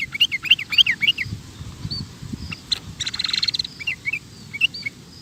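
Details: Sooty-headed bulbul giving lively ropel song: quick runs of liquid, looping whistled notes, a stretch of fainter chatter, then more short phrases, with noticeable low background noise throughout.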